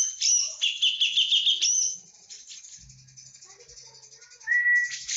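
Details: A Javan cucak jenggot gives loud chattering notes with a short rising whistle, falls quiet for about two seconds, then gives a clear whistled note; part of its full 'tembakan' song.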